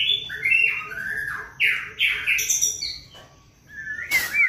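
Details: White-rumped shama song used as a lure to get birds singing: loud, rich descending whistles and warbled phrases over a steady soft ticking background, with a sharp noisy burst near the end.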